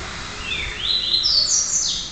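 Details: Young red-crested cardinal, still in immature plumage, very active and highly repetitive, its song being refined by its keeper: a clear whistled phrase of slurred notes stepping upward in pitch, ending in a high falling sweep, over faint background hiss.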